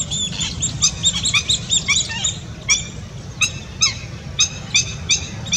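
A flock of lesser whistling ducks gives high, thin, squeaky whistles in quick overlapping bursts, with a low rumble of background noise.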